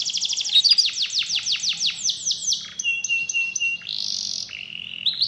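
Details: Canary song to coax a quiet canary back into lively singing: a quick series of sweeping notes, then a flat whistled tone, a dense high buzzy burst and short rising notes at the close.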